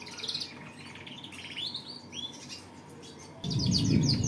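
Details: A canary sings high chirps, descending whistles and short trills. Near the end, a sudden loud rustling, handling-like noise overlaps a final fast trill.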